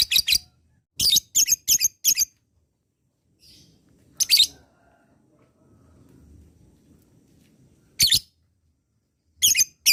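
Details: Lovebird giving clusters of loud, harsh, high squawks: a quick run of four at first, then single calls and pairs separated by long quiet gaps with faint rustling between.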